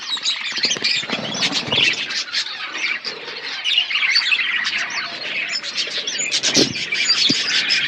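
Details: Budgerigars in a colony setup chattering together: a dense, continuous wash of high chirps, squeaks and warbled notes from many birds overlapping, with occasional sharper squawks and brief low thumps.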